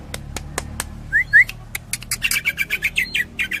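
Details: Greater green leafbird singing in the Cililin tembakan style with kapas tembak: sharp clicks, then two rising whistled notes, then a fast run of bright, evenly repeated chirps.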